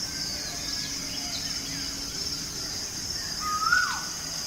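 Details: Bird sounds on a village morning: a steady high shrill hum runs throughout, with faint distant chirps and one clear whistled note near the end that slides sharply downward.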